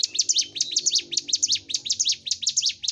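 A hill prinia's high, sharp chirps, about five or six a second, run in a lively, unbroken stream.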